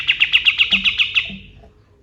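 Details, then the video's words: Kapas tembak white-eye, a male singing at dawn: nine crisp, high notes fired off in quick succession, each a short sharp burst, trailing off into quiet. "MASTERAN BURUNG KATEM GACOR | SUARA KAPAS TEMBAK SUBUH"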